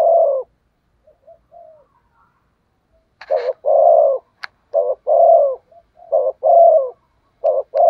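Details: Spotted dove decoy cooing rapidly in the thúc gù style to lure wild doves: a dense run of short double notes and longer coos, with a few soft notes and sharp clicks in between.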